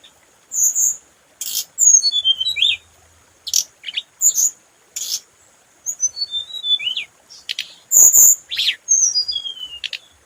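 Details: Repeated phrases of clear, high whistles gliding downward, interspersed with sharp chirps and a brief click, sung by a scarlet minivet twice over ten seconds.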